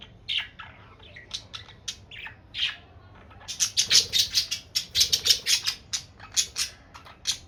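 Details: A budgerigar talks to itself, chattering in quick, scratchy bursts of high clicks, squeaks and warbled notes.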